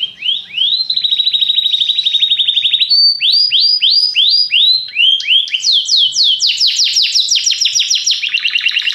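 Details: Singing Belgian canary, popular for getting a canary into breeding form. Rapid rolled trills shift into rising swept notes, then a high buzzy series of quick descending slurs, all delivered continuously and loudly.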